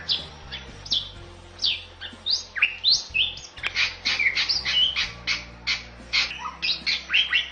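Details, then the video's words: Bali myna, a rare protected bird of Bali said to be increasingly scarce in the wild, sings as a training recording for other birds. It gives a dense run of loud chirps, sharp rising and falling whistles and squawky notes, with a faint low hum beneath. "MERDU KICAU JALAK BALI"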